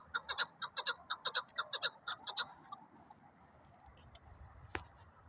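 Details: Chukar partridge calling in a quick run of clear, clucking notes that fades after two seconds, leaving a steady background hiss and one sharp knock.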